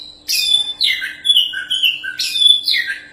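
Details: Caged champion Oriental magpie-robin used as a tutor for other birds, pouring out a rich chain of whistled and slurred notes, some high and sharp, others dropping lower, in rapid connected phrases over a faint hum.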